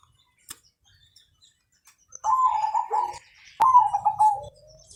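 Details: Long-singing perkutut (zebra dove), Mojopahit colour, used to set other birds singing: near-silence with a click, then two quick bursts of staccato cooing, the second ending in a short level whistle.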